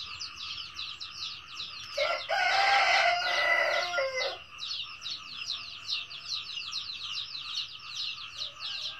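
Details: A red junglefowl crows in the 'cà lắm' manner: one strong, hoarse crow of about two seconds with a clipped finish, set within a continuous, regular high-pitched chirping chorus that runs through the whole recording.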